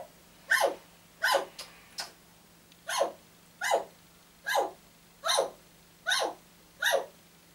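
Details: Pet African grey parrot indoors that gets up very early and wakes everyone, imitating a dog: about nine short, harsh woofs, roughly one every 0.8 seconds, over a faint steady indoor hum.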